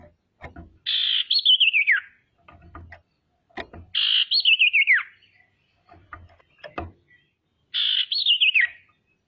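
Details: Lively female common iora whose calls serve to stir rivals to call and grow agitated; three evenly spaced harsh, stuttering phrases descending in pitch, about every three and a half seconds, with faint clicks and low bumps between.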